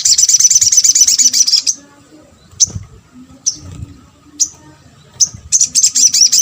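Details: Crimson sunbird (sogok ontong) calling as a lure for other sunbirds: a rapid high chattering run, then evenly spaced sharp single chips about one second apart, and another fast high twitter at the end.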